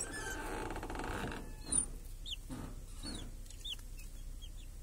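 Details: Village chickens with chicks under a protective cage on a clear summer day; a rustling scrape opens, then scattered high downslurred peeps, some loud and close, over light background hiss.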